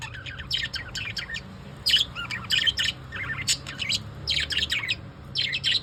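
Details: Pet lovebirds calling at evening with bright, high twittering chirps in uneven clusters, some notes sliding, over a quiet hum.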